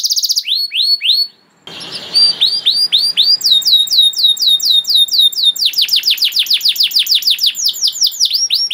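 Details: Canary master song for young canaries: hooked whistles, a brief gap, a harsh buzzy passage, then long runs of rapid repeated notes and trills changing in pitch.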